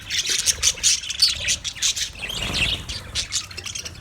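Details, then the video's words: Budgerigar colony chirping together: a dense, overlapping chatter of high, quick squawks and tweets, with bursts coming unevenly in rapid succession and no gap in the flock noise. "Budgies chirping sounds"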